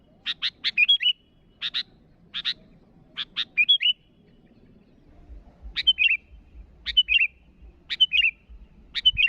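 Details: A sooty-headed bulbul calling to rivals, starting with harsh chattering notes and short whistles, then settling into bubbly whistled phrases repeated about every second, with a low hum in the latter half.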